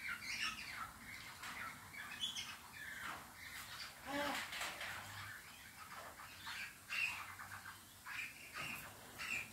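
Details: A captive pair of White-fronted amazons, kept for three years and mating in the morning, give harsh, nasal squawks and short raspy chatter in quick, nearly continuous bursts with occasional higher squeaky notes.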